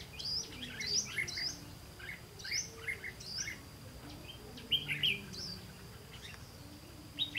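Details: During a bulbul trapping outing on 18 September 2016, a red-whiskered bulbul repeats lively whistled phrases of two to four slurred notes, several clusters in a row, against a quiet low hum.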